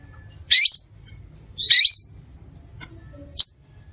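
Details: Crimson sunbird sound meant to pull in other sunbirds: two harsh, buzzy, scratchy bursts about a second apart, then a lone thin high tick, against a soft low rumble.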